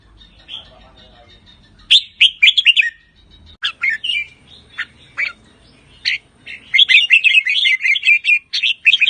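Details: Caged red-whiskered bulbul of the Pa La-U line in Thailand, singing with rik chatter: scattered sharp whistled notes that build into a fast continuous stream of bright warbling toward the end.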